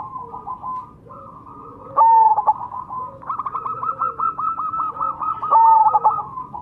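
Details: Lure song of a Majapahit zebra dove: soft trilled cooing, then a strong stuttered coo and a long run of evenly repeated rolling notes, ending in another emphatic coo phrase.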